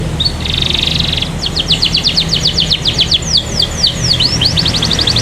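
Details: Atlantic canary singing as a lure to prompt other canaries to sing: a buzzy trill followed by fast repeated high sweeping notes, about four per second, then V-shaped slurred notes and a quick rattle, over a low hum.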